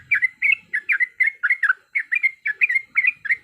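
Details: Yellow-vented bulbul recording used as a lure to make another bulbul sing and fight; bright, bubbly chirped phrases of two or three quick notes, repeated about every half second, with no other clear sounds.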